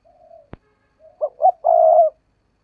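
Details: Spotted dove kept as a decoy starts with a quiet steady note and a sharp click, then two short notes ending in a full, even, low coo.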